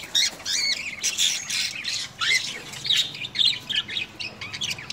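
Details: Pet sun conure at home, kept with a cockatiel, the birds friendly and cuddling, gives harsh, grating squawks in quick irregular bursts, high and raspy.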